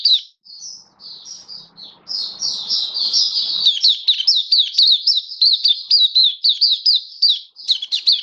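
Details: Caged Oriental white-eye singing, recorded 27 October 2022: thin high chirps, then from about two seconds a fast, steady run of bright, rising-and-falling twittered notes, about two per second, with faint room rumble early on.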